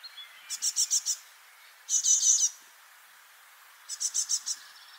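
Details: Several freshly fledged juvenile great tits, four young playing together on a spring 2024 morning in Parc Izadia, Anglet, France, keep calling to each other: high, hissy notes in quick runs of four or five, then one harsh, buzzy burst, then another run.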